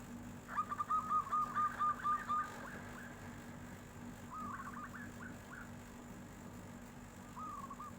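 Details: Local zebra dove singing in the flute-like 'nyuling' style, answering as a tofu seller passes: a run of about eight clear, evenly spaced whistled coos, then softer trilled phrases over a steady low hum.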